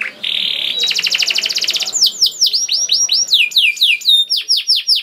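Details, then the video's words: Canary song used as a lure to prompt other canaries to sing: a buzzy trill, then a fast rattling trill, then a run of repeated downward-sweeping whistled notes, some overlapping, shrill and high. "Voice of Canary"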